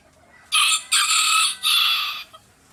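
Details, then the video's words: A rooster gives a loud, harsh crow in three strained bursts over about two seconds, the middle part longest, with a quiet background. "Amazing Cock Making Noise and Sounds"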